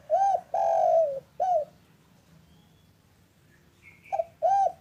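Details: Local spotted dove in the afternoon, its call meant to lure doves into calling. An arched coo, a long falling coo and a short arched note are followed by a quiet gap. A faint thin whistle sounds before the cooing phrase starts again.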